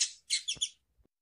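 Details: Female Double-collared seedeater calling, a sound meant to excite males into singing: a high, sharp note, a short pause, then three quick buzzy chirps, with faint low thumps.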